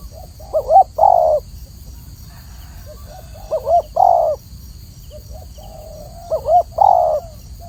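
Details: Spotted dove, a small dove that feeds on the ground, repeating a coo phrase three times about every three seconds: a quick wavering double note then a longer steady coo, with faint hum beneath.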